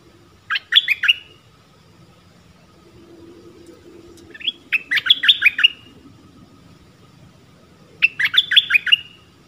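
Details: Decoy Dok Taeng bird in a forest, calling to attract a mate, 13 January 2021; three quick twittering bursts of descending notes spaced several seconds apart, with a soft low murmur between them.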